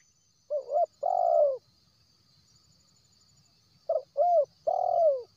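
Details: Wild spotted dove lure call, used to draw in birds that are reluctant to call: two mellow cooing phrases a few seconds apart. Each is a short two-part coo followed by a longer, slightly falling note, over a faint steady high insect hum.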